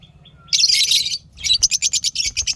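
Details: Happy lovebirds kept as pets give a dense, shrill chattering burst followed by a quick series of rhythmic sharp chirps repeated about every tenth of a second.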